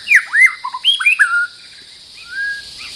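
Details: Brief white-rumped shama phrase from a territorial bird: a few quick looping whistles and slurred notes, then a soft drawn-out whistle, over a steady shrill insect background.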